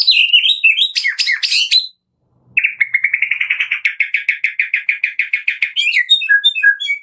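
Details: White-rumped shama of the Medan type singing loud, varied whistled phrases, then after a brief pause a long fast rattle of repeated notes, ending in sweet high whistles.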